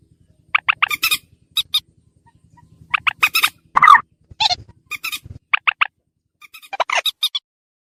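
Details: Lure recording of a slaty-breasted rail: scattered sharp clicks and short harsh notes in small groups, with a louder croaking burst midway and quieter pauses between, a faint low hum at the start.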